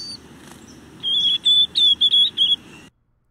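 A young White-throated Sparrow's practice song: a series of thin, high, slightly wavering whistles, uneven and imperfect, over a soft background hiss.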